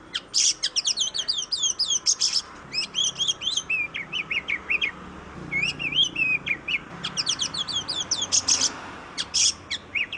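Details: Oriental magpie-robin, kacer in Indonesia, singing fast trills of downslurred chips interspersed with harsh buzzy bursts and a warbled whistle, rapid phrases over low hiss.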